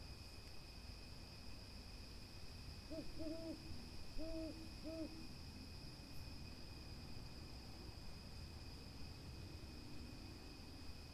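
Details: Owl hooting in a calm nature recording: about five short, low, soft hoots in two quick clusters near the start, then quiet, over a steady high-pitched insect drone and a low background rumble.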